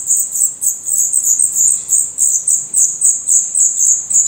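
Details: Black redstart nestlings, eyes open and feathers growing, begging in a Portuguese nest with rapid, very high, thin squeaky notes, roughly three to four per second in pulsing waves.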